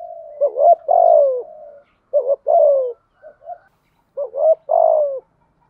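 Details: Spotted dove cooing used as a lure to trigger cooing in trained birds; three phrases, each a short hiccuping pair of notes then a sustained descending coo, two quiet notes between, clean background.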